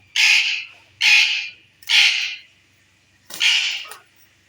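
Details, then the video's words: Indian rose-ringed parakeet, a green ringneck kept as a talking pet and described as ready for its first breeding, giving four harsh, broad squawks roughly a second apart, each loud and grating, with a quiet room behind. "row talking parrot ready for first breed/Indian speaking parrot mitthu tota/bolny waly mithu"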